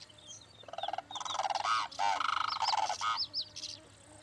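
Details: A blue crane (Anthropoides paradiseus) gives a burst of loud, rattling, nasal calls for about two and a half seconds; thin high chirps from small birds come before and after.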